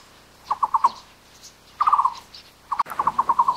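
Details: Taiwan barbet, found only in Taiwan in lowland and mid-elevation broadleaf woods, repeating bursts of quick, hollow, evenly pitched low notes, the last burst longer with about seven notes; a single sharp click midway and faint birdsong behind.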